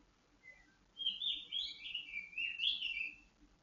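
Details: White-rumped shama song played for conditioning, to steady the bird's temper and breeding drive: a continuous warbled phrase of slurred, wavering whistles after a second of quiet, with a faint low hum beneath.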